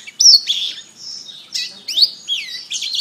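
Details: Canary singing a training master: sharp whistled notes, a sustained high buzzy tone, then swooping slurred phrases in a steady, lively warble.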